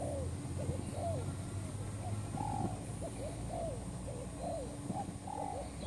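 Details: Newly caught spotted dove cooing, used to lure others for trapping: repeated phrases of a short note and a longer arched, falling coo, given steadily, with low hum and occasional faint high bird notes.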